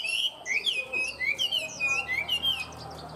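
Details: Tame caged Chinese hwamei singing a fast run of loud, clear whistled phrases, high slurred notes rising and falling in quick bursts, with faint background hum.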